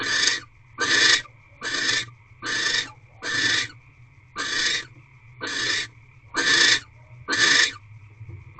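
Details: Barn owl in an owl box, twelfth night of its mating ritual, 6:42 pm on 1 March 2023, giving a steady series of about ten short, hissing screeches, slightly more than one per second, with a low background hum.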